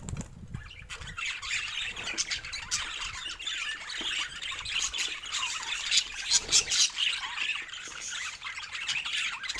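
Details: A budgerigar chatters in a steady rasping warble, with quick clicks and squeaky chirps that grow livelier and louder toward the end.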